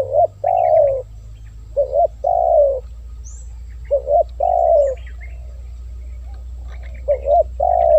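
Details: Spotted dove calling, used to draw in wild doves: mellow phrases of quick short coos and a long falling note, repeated about every two seconds, with faint chirps from other birds and a steady low hum.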